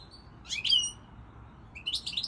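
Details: European goldfinch singing: a sharp, bright chirp with ringing, whistled overtones, a short pause, then the start of a quick, tinkling twitter of high notes, over faint low background noise.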